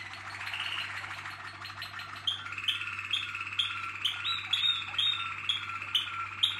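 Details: Waterslager (Malinois) canary singing. A blurred, noisy opening gives way after about two seconds to a steady run of clear repeated notes with rolling, bubbling phrases in the mid-to-high range, over a constant low electrical hum.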